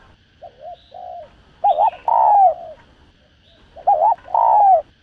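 Spotted dove giving soft, hollow coos in short phrases, two quick notes then a longer falling one, repeated about every two seconds.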